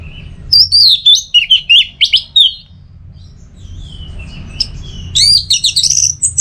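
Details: Orange-headed thrush song used as training and lure audio for kept songbirds: rapid, varied high whistled and chirped phrases in two bursts with a quiet gap between, over a low steady hum.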